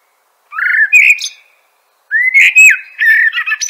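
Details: Two quick phrases from a common blackbird, each a mellow rising whistle rolling into warbled notes and thin high chatter, separated by a half-second pause.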